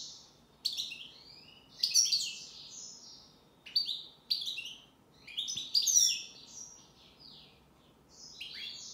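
A European goldfinch sings bright, tinkling twitters, high and fast, in short jumbled bursts every second or two with brief pauses between; nothing else is heard.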